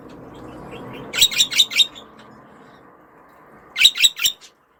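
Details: Pet budgerigar calling over a low background hum: a run of four raspy chirps, then after a pause another burst of four.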